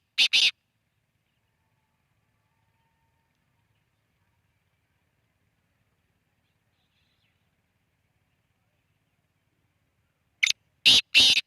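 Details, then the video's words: Black francolin calling: two loud bursts of harsh, rasping notes, each a quick group of three or four grating syllables, separated by about ten seconds of silence. "kala teeter ki awaz"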